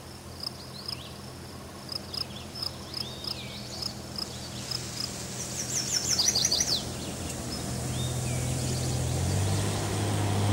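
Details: Male Chestnut-sided Warbler singing exuberantly from a birch on slopes above Quabbin Reservoir, Massachusetts, 2006; a burst of rapid high slurred notes near the middle, with soft high chips from other birds before it and a steady low hum that grows louder toward the end.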